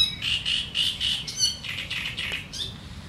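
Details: Great reed warbler singing in reeds, giving sharp chattering song: a series of harsh, grating, buzzy syllables repeated about every quarter second with uneven rhythm, clear over a low background rumble.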